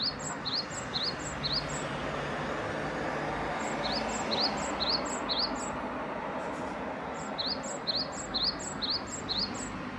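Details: Great tit repeating high two-part whistled phrases in quick bursts, pausing briefly before starting again, with a constant broadband hum of distant traffic or machinery underneath.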